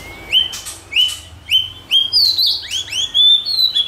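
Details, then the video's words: White-rumped shama song used to provoke and train shamas to sing: a series of clear whistled upslurred notes repeated about every half second, ending in higher sweeping whistles. "Kích Chòe lửa hót nhiều giọng"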